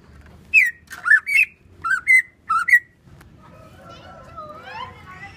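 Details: Greater green leafbird from Banyuwangi singing: a series of about six clear whistled notes, rising and falling and grouped in pairs over two seconds, followed by fainter sliding warbled notes over a low background hum.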